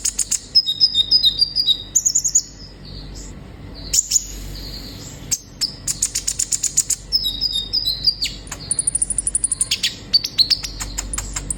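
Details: Sunbird, known locally as kolibri ninja, singing to stimulate captive birds: rapid high thin twittering and chipping phrases, fast repeated buzzy trills and sharp ticks, dense throughout with short pauses.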